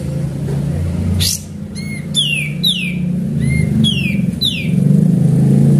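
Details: Sooty-headed bulbul song used as a lure, a series of quick, loud, downward-slurred whistles, mostly about one per second after a sharp opening note, over a steady low hum.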